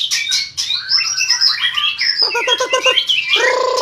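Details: Caged white-rumped shama in full, forceful contest song while flicking its tail: dense whistled phrases and buzzy chirps, then a rapid stuttering series of harsh notes and a rasping trill near the end.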